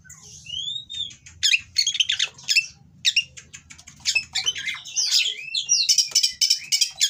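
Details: Oriental magpie-robin in breeding condition singing coarse, provocative material: a clear rising whistle, then dense rapid buzzy chatter and harsh rasping phrases mixed with slurred high whistles.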